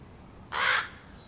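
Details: Recently fledged baby common ravens awaiting a feeding by their parents: one coarse, raspy squawk, broad and noisy, roughly a third of a second long, followed by a thin distant bird whistle.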